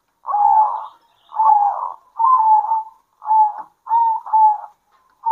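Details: Local zebra doves duetting at midday: six rounded, warbling coo bursts in steady succession, each soft and vibrating, with short quiet gaps between them.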